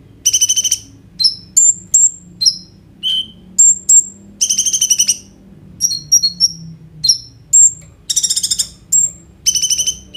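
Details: Kolibri ninja sunbird in full 'gacor' song with 'roll tembak' fill, played as a prompt to get konin birds singing, recorded on an Oppo A37f phone: very high buzzy trills alternating with short thin whistled notes and sharp chips, steady low hum beneath.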